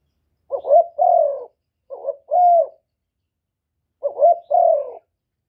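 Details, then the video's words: Cooing of a Cà Mau spotted dove, meant to excite rival birds; three phrases, each two or three brief clipped coos running into a fuller, sustained coo, with a two-second pause before the last, and no other sounds. "Tiếng chim cu gáy kích bổi giọng hạp bổi"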